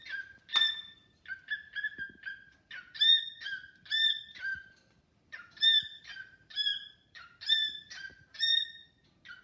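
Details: Pet cockatiel chatting and singing to a new companion bird: clear whistled notes, each a steady tone with bright overtones ending in a downward slur, delivered in short bursts about once a second with brief pauses.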